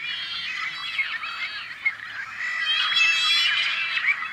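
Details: Crowded chorus from a farm nesting colony of rare Tricolored Blackbirds, California Central Valley, May 2012: rapid overlapping twangy, nasal calls and squeals, swelling louder in the second half with occasional sharper clicks.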